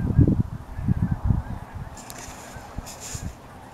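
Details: Geese at a reservoir in Altus, Oklahoma, giving a short run of loud, low, rough honks during the first second and a half. Quieter scattered honks follow, with a faint hiss in the background later on.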